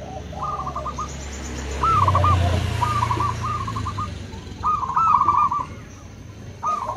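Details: Zebra doves, local and crossbred, answer one another with rolling staccato coos, about five phrases spaced irregularly, over a low droning rumble that swells and fades.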